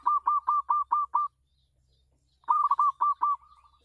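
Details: Zebra dove on a house terrace, used as a decoy for other doves: two phrases of six or seven crisp, rhythmic coos, the second trailing off into softer, quicker notes. A low hum sits beneath.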